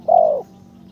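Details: Spotted dove, a decoy bird being trained for ground decoying, its third training session with behaviour much improved: a single low, smooth coo, steady and slightly falling, lasting about a third of a second, in quiet surroundings.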